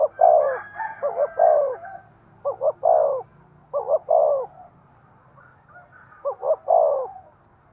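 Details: Spotted dove cooing excitedly to stir a decoy bird: five low phrases of quick double notes and a sliding coo, spaced irregularly, with a soft murmur behind.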